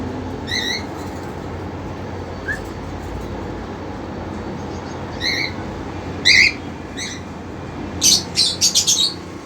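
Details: Caged cockatiels, a male eager to mate and a two-month-old female too young to respond, kept with her sibling; short harmonic squawks scattered through, then a quick burst of rapid calls near the end over steady room hiss.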